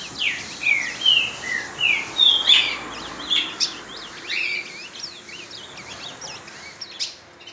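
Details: Ultramarine grosbeak showing off its song at another bird: several loud, slurred, descending whistles in the first seconds, followed by a softer tangle of short high twittering notes from other birds singing nearby.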